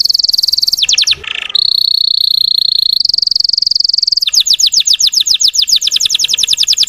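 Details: Russian canary singing to provoke untrained birds: a brisk trill gives way to a long, steady high rolling tour, then a fast series of repeated descending sweeps.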